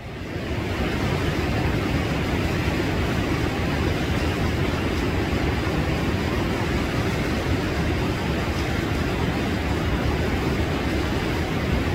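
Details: A steady low rumble like engine or wind noise fills the whole stretch, with no animal calls standing out.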